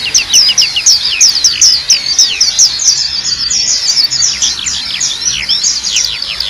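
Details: ['Black-capped white-eye in vigorous song: a continuous stream of quick, high, sweeping and downslurred whistled notes, loud over a steady hiss of background noise.']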